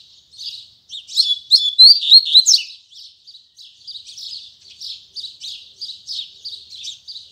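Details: Tui Tui Zel Zel song of a Double-collared seedeater at morning: a loud, rapid phrase of piercing, sliding high notes, then a long string of softer, rhythmic chirps repeated several times a second.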